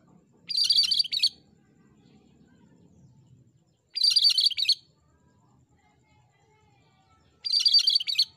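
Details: Vigorous cucak kerinci song for master recordings: three short, dense, high chattering phrases roughly every three and a half seconds, with soft low rumble in the gaps.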